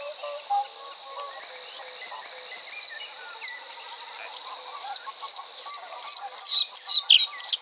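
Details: Bluethroat (Luscinia svecica) song beginning quietly with soft low notes, then building into loud, evenly spaced high chirps that quicken and turn more varied and twangy toward the end.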